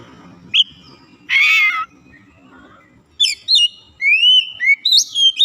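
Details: A kacer, or Oriental magpie-robin, recovering its singing: a lone whistle, a harsh raspy note, then a string of clear, rising and wavering whistles; faint low rumble underneath.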